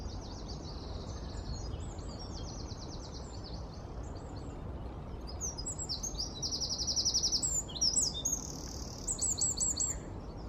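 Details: A Eurasian wren in London on 4 November 2019 pours out a loud, high, rapid song of tumbling trills and sharp ringing notes, over a steady low rumble of background noise.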